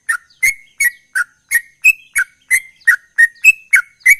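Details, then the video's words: Sooty-headed bulbul singing in the gacor ropel style: sharp whistled notes near the same pitch, repeated about three times a second in a steady, rapid run, each note with a bright, clicky top edge. "Trucukan Gacor Ropel durasi pasti langsung respon"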